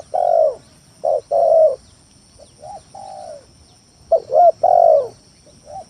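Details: Spotted dove lure song for drawing rivals into calling: two full phrases, each a quick double coo and a long descending coo, then softer trailing notes, with a steady high-pitched electronic tone underneath.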